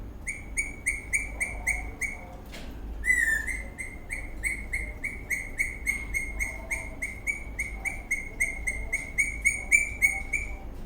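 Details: Eastern rosella parrot dancing in a happy mood, giving a steady stream of short, bright chirps at an even pitch, broken once by a higher sliding whistle, over a low background hum.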